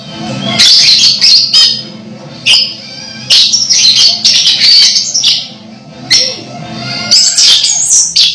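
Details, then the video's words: Orange-headed thrush, a caged bird close to moulting yet still singing vigorously; dense bursts of varied high chirps and whistles, loud phrases separated by short pauses, with a faint low hum beneath. "Anis merah hampir mabung masih gacor"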